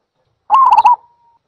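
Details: A single zebra dove call: a brisk half-second string of soft, trilling coo notes that ends in a faint, drawn-out tone, with nothing else heard.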